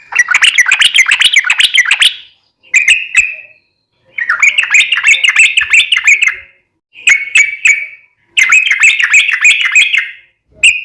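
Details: Yellow-vented bulbul singing continuously for daily cage-bird training: repeated bursts of fast bubbling chatter, each around two seconds, alternate with short sets of single ringing whistles and brief silences.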